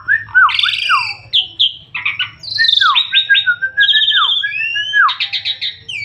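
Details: Energetic gacor song of an Asian pied starling, mixing harsh squawks, rapid trilled bursts and drawn-out descending whistles in a continuous, varied stream, with a low background hum.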